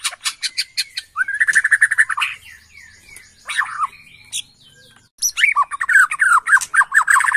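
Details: Bornean white-rumped shama in an excited state, used as a lure: rapid chattering notes and a steady whistle, a pause with faint notes, then fast jumbled twittering.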